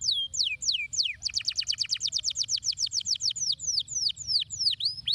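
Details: Canary song meant to stimulate lazy canaries to sing: a few high sweeping whistled notes, then a fast even trill of downslurred notes, slowing into spaced, ringing slurs.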